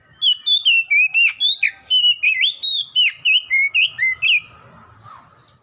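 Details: Oriental magpie-robin song used as ombyokan training material to make caged birds respond and sing: a fast run of loud whistled notes, about four a second, sliding up and down, some buzzy, ending in faint softer twitters.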